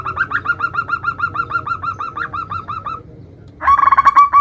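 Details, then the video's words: Local zebra dove song, used as a lure to make other doves answer. A steady series of hooked coos, roughly three per second, stops briefly, then a denser, louder burst of rapid notes begins. "Perkutut lokal gacor suara bermacam - macam Nutut kompilasi ini ampuh untuk Pancingan Cepat NYAUT"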